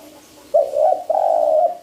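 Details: Spotted dove calling as a trapping lure: one brief wavering coo and a longer sustained mellow coo right after, in a quiet room with a faint background hum.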